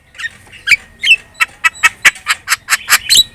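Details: Lure song of a Javan myna, aimed at getting other birds to respond: a few nasal notes followed by a steady series of harsh squawks repeated about every quarter second.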